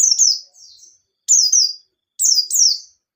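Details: White-eye song meant as a lure to get other birds singing: three bright, high bursts of slurred descending chirps about a second apart.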